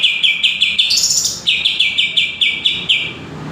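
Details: Greater green leafbird singing lively repeated sharp chirped notes at a steady quick pace, interrupted by a short higher rising phrase before the rapid chirping resumes.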